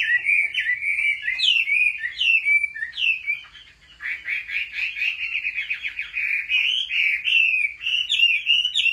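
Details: Chinese hwamei singing competitively, trained at home: loud, ringing whistled phrases, a short pause, then a fast buzzy trill of rapid notes that leads into more rich slurred whistles.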